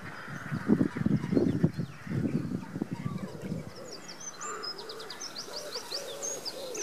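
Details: Cinnamon teal (Spatula cyanoptera), courtship call: courtship.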